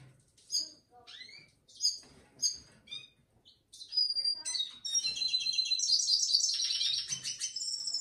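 A red siskin sings: a few high, quick downslurred chirps, then a long, rapid twittering warble full of buzzy trills, all pitched very high.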